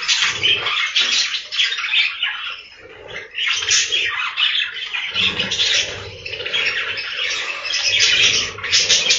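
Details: Inside a budgerigar breeding room, a crowd of birds keeps up busy warbling and squawky chirping, briefly thinning near the middle before swelling again, over a faint low background hum.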